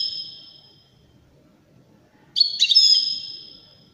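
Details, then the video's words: Wedani goldfinch singing: a long, steady high whistled note that fades, then after a pause a bright burst of chattering twitters running into a drawn-out ringing tone. Quiet low background murmur. "تغريد رائع أناقة في الأداء طائر الحسون الويداني"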